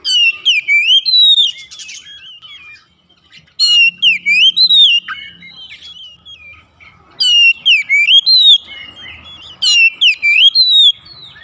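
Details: Song of a domestic oriental magpie-robin used as therapy to coax quiet house birds into singing: rich whistled phrases with rising and falling slurs and high sharp notes, given in three bursts with gaps between.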